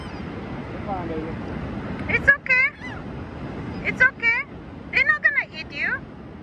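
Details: Seabirds on the ocean beach at South Padre Island, Texas, during spring break give harsh, nasal, rising-and-falling calls. The calls come in short bursts of two or three notes over a steady rush of surf and wind.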